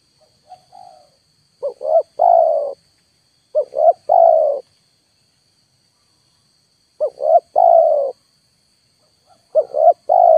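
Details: Trapping lure of a spotted dove at full volume, wild birds staying away: a soft opening note, then four coo phrases, each two short rising notes and a longer falling note, in pairs separated by a pause.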